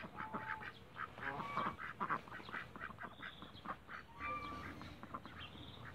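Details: Backyard flock of Cayuga ducks giving rapid, raspy quacks in uneven bursts, some clustered and some spaced apart, with thin whistled notes from other birds heard intermittently in the background.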